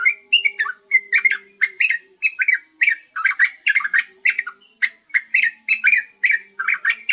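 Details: Yellow-vented bulbul, called trucuk locally, singing a long ngropel-style song; bursts of bubbly, gurgling warbled notes repeated rapidly, about three phrases per second, over a steady high electronic whine.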